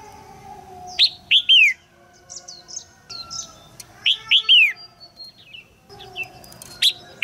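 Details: Female red-whiskered bulbul calling in a cage so that a young male will sing; two runs of three sharp, falling chirps separated by soft high squeaks, with a faint steady low tone behind.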